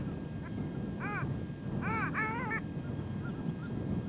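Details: A male Long-tailed Duck on a small tundra pond near One-Eyed Jack Lake, Victoria Island, Nunavut, in spring just after migrating north, gives nasal, arched yodelling notes, one then a quick double, over steady low wind rumble.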